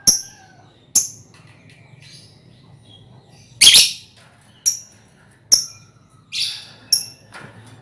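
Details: Lovebird colony recorded as a lure to prompt ngekek trilling; sharp, high chirps spaced irregularly about a second apart, with a louder burst near the middle and a faint low hum beneath.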